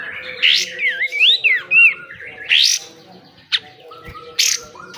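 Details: Pied triller (kapas tembak) singing in besetan style, used for training caged birds: loud rasping bursts alternate with looping, twisting whistled notes. A thin steady tone and faint low rumble run underneath.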